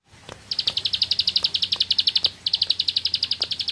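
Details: Bar-winged prinia (ciblek sawah) singing in the rapid 'nembak ngebren' style: a fast, steady trill of sharp, high chirps running nearly two seconds, a brief pause, then another burst, over a low background hum.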